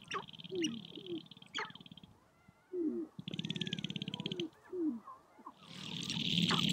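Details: Sharp-tailed grouse gathered on a prairie hilltop in spring, dancing and fighting to attract females: low rapid pulsed drumming, short rising clucks, and bursts of a high rattling buzz, with quiet gaps between the bouts.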